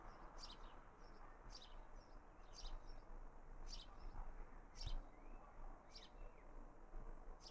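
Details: Young house sparrow in a Raunds garden on 19 June 2018 calling with crisp, high chirps spaced about a second apart, a few softer notes between them, above a muffled low background rumble.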